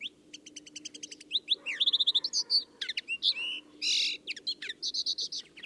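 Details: Common Linnet in song, a rapid medley of clipped twittering notes, short trills, nasal buzzy phrases and bright whistled slurs, changing pattern every fraction of a second with barely a pause.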